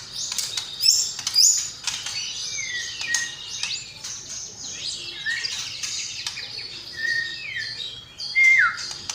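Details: Murai batu (white-rumped shama) in a masteran recording filled with sparrow, lovebird and kapas tembak sounds: scattered sharp high notes and clicks, several clear descending whistled slurs, with faint background hiss.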